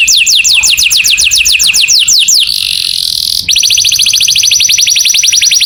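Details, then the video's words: Morning canary song: a rapid trill of descending whistled notes, then a brief buzzy rolling phrase, followed by a very fast, even high-pitched trill running to the end. "O SOM DOS CANÁRIOS FAZ OUTRA EMOÇÃO DOS CANÁRIOS E ALEGRIA A VOZ DA MANHÃ"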